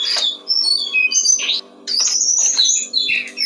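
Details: Brown-streaked flycatcher song for training cage songbirds, with loud, dense high chattering and whistled slurs in two long bursts separated by a brief pause, low hum behind.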